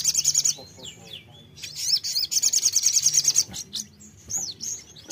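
A bulbul sings high, fast rattling trills broken by slurred whistled notes that rise and fall, in bursts a second or so long. A faint low hum runs underneath.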